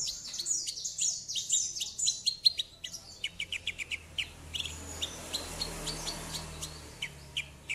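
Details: Javan bush lark singing prolifically as a lure for silent birds: a rapid run of sharp, high chirps and downslurred ticks, dense at first then spacing out, over a low background hum.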